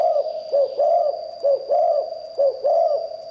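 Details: Spotted dove with a 'liu tan' style song, said to attract wild birds: a rhythmic chain of deep, hollow coos alternating short and drawn-out notes, steady and loud, over a thin continuous high tone.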